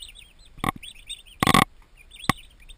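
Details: Newly arrived turkey poults, twenty in a farm nursery, keep up a run of arched whistled peeps while three loud thumps and a burst of scratching cut across them.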